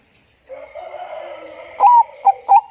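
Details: Zebra dove of the Bangkok type, singing vigorously as a lure for other birds: a soft wavering purring hum, then three loud clipped whistled coos, the first slightly rising.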